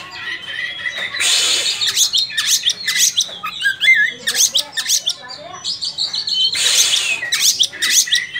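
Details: Oriental magpie-robin singing vigorously, called ngobra: dense bursts of harsh, scratchy notes alternating with whistled slurs and quick chirps, phrases tumbling over one another; faint low hum underneath.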